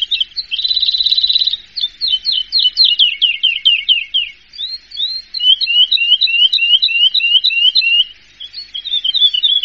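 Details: Prize-winning contest Horsfield's bush lark: a buzzy trill opens, followed by quick sliding whistled notes in varied bursts, with brief gaps between phrases.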